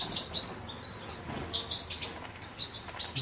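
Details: Steady stream of high, sparkling twitters and short chirps from a European goldfinch, the notes repeated in quick pulses over a faint background hiss.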